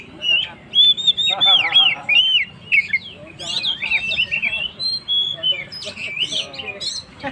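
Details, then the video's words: Kacer, the Oriental magpie-robin, singing in full 'gacor' style to stir up stressed birds; loud arched whistles and rapid rising-falling slurs, interspersed with harsh buzzy bursts and short chattering notes. "suara burung Kacer gacor// naikan emosi//pancingan burung stress"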